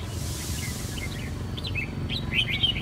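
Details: Red-whiskered bulbul recovering its voice after a chronic cough and hoarseness. Brief chirpy whistled notes start faintly, then grow into a denser burst of quick warbled phrases near the end, over a steady low hum.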